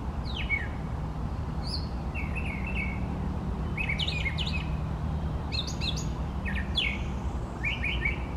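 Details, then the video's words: Brown thrasher male singing for a long spell, delivering bursts of varied notes, bright chips and buzzy doubled phrases in quick succession with short gaps, accompanied by a faint low hum. "Brown Thrasher singing beautifully"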